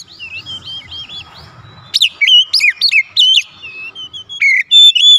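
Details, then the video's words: Oriental magpie-robin song played as a lure for a response: a series of soft arched whistles, then loud sweeping notes repeated in quick succession and a few clear high whistles. "PANCINGAN KACER MANAPUN AUTO RESPON NGEPLONG"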